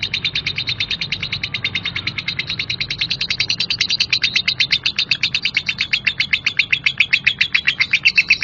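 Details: Female lovebird in rough ngekek chatter: fast, harsh chirps packed into one long rattling stream that never pauses, strong and even to the end.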